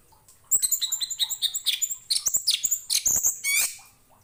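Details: Orange-headed thrush song meant for tutoring other songbirds: a rapid, continuous run of varied chirps, trills and whistled notes lasting about four seconds, rich in high tones, over a quiet background.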